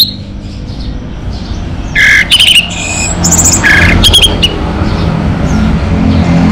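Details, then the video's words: Orange-headed thrush, a local singing bird, giving scattered bursts of harsh, squawky and whistled notes with sharp, varied phrases, set against a constant low rumbling background noise. "Suara ANIS MERAH Lokal Gacor"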